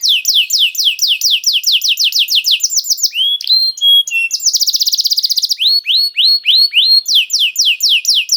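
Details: Canary singing as a training bait for other canaries: rapid series of descending high chirps repeated several per second, then a buzzy rattling trill, a brief whistled note, and more swept notes; clean recording.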